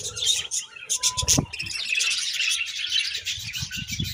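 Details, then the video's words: Budgerigars chirp and chatter continuously in dense, high, scratchy twitters, with a brief clear whistled note early on and soft low knocking sounds below. "Budgies Sweet Chirping Sounds"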